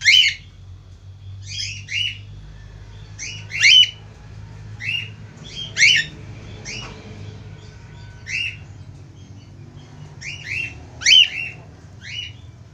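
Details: Budgerigar (Melopsittacus undulatus), whistled call: male calling to a female.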